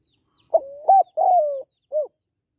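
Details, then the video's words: One phrase from a female spotted dove calling males: a sharp start gliding level, a rising-falling coo, a long gently descending coo, then a short soft coo after a pause. No other sounds. "Tiếng Cu Gáy Giọng Hạp BổI ĐỦ BÀI [ GÁY GỌI,THÚC,GÙ ]"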